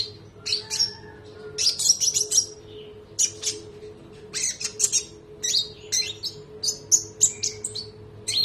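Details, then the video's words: Lively konin trotol song from a tutor recording for other songbirds: long strings of rapid, high, rolling chirps and squeaky notes running almost without a break, with a steady low hum. "MASTERAN TERBARU KONIN NEMBAK MEWAH❗❗ KONIN TROTOL GACOR NGEROLL PANJANG"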